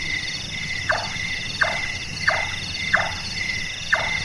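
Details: Large-tailed nightjar calling at night with five hollow, hammer-like chonks roughly every two-thirds of a second, the carpentry-like sound behind its local name burung tukang, over a dense insect chorus.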